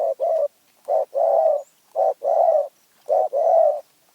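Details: Spotted dove from Phrae, Thailand, described as having a small, fierce voice. It gives mellow coos paired short-then-long, the pairs repeating about once a second, with quiet gaps in between.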